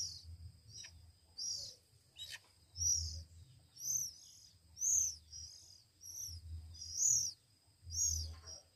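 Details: One-week-old Oriental magpie-robin chicks hand-fed, giving high arched begging squeals in pulses about every second, between soft clicks and a low hum.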